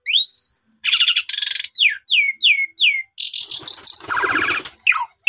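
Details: Lure song of an Asian pied starling, meant to lift another bird's confidence so it sings its full repertoire. A long rising whistle, harsh buzzy notes, then four falling slurred whistles and a scratchy, dense jumble.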